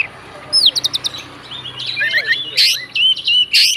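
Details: Fighter Oriental magpie-robin provoking others with song: a soft opening of quick high ticks, then loud rasping bursts and whistled phrases over faint background hiss.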